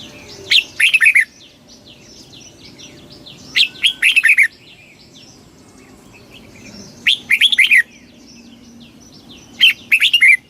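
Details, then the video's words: Four quick phrases from a red-whiskered bulbul in fast 'kích bổi' style, each a tight burst of lively, slurred chirps, separated by pauses of two to three seconds; other birds twitter faintly. "tiếng chim chào mào kích bổi cực nhanh"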